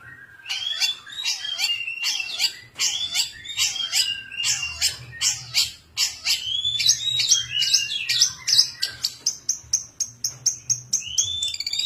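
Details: Long-tailed shrike song: rapid varied phrases of harsh notes and whistles mimicking other calls, ending in a fast series of high ticking notes, with a faint low hum beneath.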